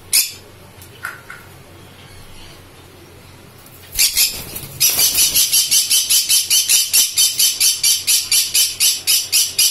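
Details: Green-cheeked conure (Pyrrhura molinae), pineapple colour form, one of a kept pair: after a few near-quiet seconds, harsh, raspy squawks start and repeat rapidly, about twice a second, in a steady scolding run.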